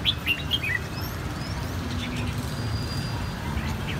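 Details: Red-whiskered bulbuls, three birds from one brood whose white cheeks are reddening in a single season, deliver a bell-type song; a quick cluster of clear, high chirped notes opens, then quieter scattered notes against constant low rumble.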